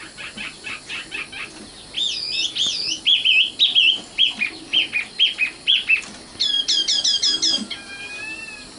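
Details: Common nightingale song, locally sikatan londo: soft repeated notes, a quick warbled tangle, a run of about eight evenly spaced chirps, then a rapid high stutter and a quiet whistle.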